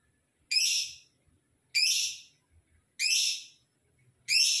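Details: Lovebird in gacor (lively, vocal) form, calling to provoke rival birds and stimulate females. Shrill, harsh, high chirps sweeping downward, each about half a second long, repeated roughly every 1.3 seconds, with faint low rumbling between them.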